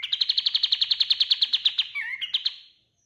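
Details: Singing kapas tembak white-eye, a master recording for training other cage birds: a quick, ringing, high trill of evenly spaced notes lasting about two seconds, closing with a few twisting twittered notes.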